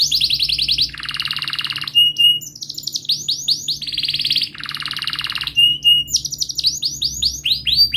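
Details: Long canary song meant to prompt a quiet bird to sing, alternating fast buzzy rolls with bursts of sharp downward-sweeping chirps and brief clear whistles.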